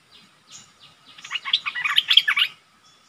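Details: Decoy streak-eared bulbul answered by an incoming wild flock: a quick, overlapping stream of bubbly chirps and twitters that builds in loudness and then fades, with several birds seemingly calling together.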